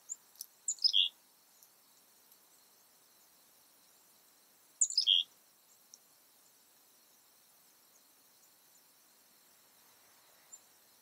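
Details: Chickadees on a quiet Sunday afternoon, March 3, 2019, around 3 PM: two short bursts of high, quick notes stepping downward in pitch, about four seconds apart, with near silence between them.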